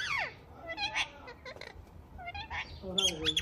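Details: Talking rose-ringed parakeet kept as a pet, producing speech-like falling and rising phrases with raspy syllables and a few squawky notes, over low background hum.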